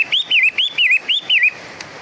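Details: Long-tailed shrike, known locally as pentet matahari, giving five quick looping whistled phrases in a row, each sliding up then dipping, about four per second, followed by a brief quiet tail.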